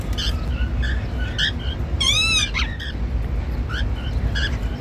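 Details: Male and female normal grey cockatiels making happy sounds: scattered short chirps, then one loud, rich, arched whistled call near the middle, with a low steady hum underneath.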